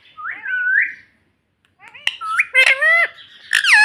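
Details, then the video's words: Talking pet parrot saying "mummy": a whistled, wavering opening phrase, a brief pause, then rapid harsh two-part squawked syllables with strong harmonics. "Parrot Talking Mummy Mummy"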